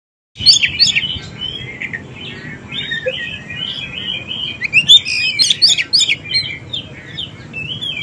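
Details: Oriental magpie-robin song used as a lure to make young, newly caught or silent birds answer; loud varied whistles and rich chattering phrases in bursts, sliding notes between them, faint low hum beneath.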